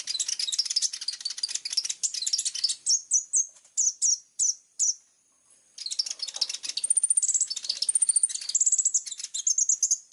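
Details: Plain-throated sunbird singing gacor with sharp 'tembakan' bursts: dense high rapid twittering, a series of evenly spaced sharp notes, a brief pause, then more fast chatter with thin high trills.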